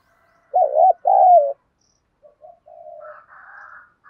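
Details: Spotted dove singing the 'đồng pha' style of southern Vietnam, used to provoke wild doves to coo and fight: a quavering coo and long falling coo, then softer, higher distant bird calls.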